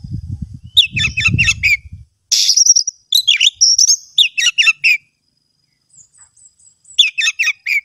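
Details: Oriental magpie-robin singing rapid trilled chirp series and buzzy high bursts with thin whistles, pausing now and then; a low rumbling noise sounds in the first two seconds.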